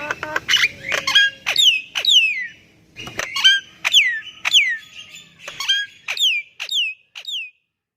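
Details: Constantly singing Javan myna, offered as a lure for quiet birds: scratchy opening notes, then evenly spaced loud whistles, each sweeping sharply downward, fading toward the end.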